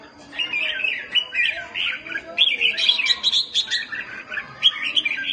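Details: Red-whiskered Bulbuls in a fighting contest pour out loud, rapid, chattering phrases of bright, liquid notes with barely a pause, an excited fighting song.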